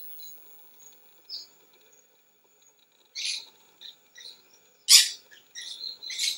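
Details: A forest flock of Maroon-bellied parakeets (Pyrrhura frontalis) feeding on bananas gives harsh, scratchy screeches in short bursts, with a loud cluster near the end and faint chirps between.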